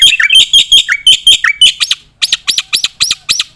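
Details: Black-winged myna singing vigorously, recorded as training material for competition birds: quick harsh chattering notes with downslurred dips, then after a short pause a steady series of loud arched rasping notes.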